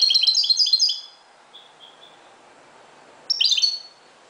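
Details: Moroccan European goldfinch singing at dawn: a run of rapid bright twitters lasting about a second, a few faint soft notes, then another sparkling burst.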